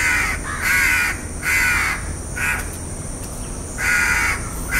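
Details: House crow calling with harsh, nasal caws in quick bursts, about six in under five seconds, some doubled, over steady low background hum.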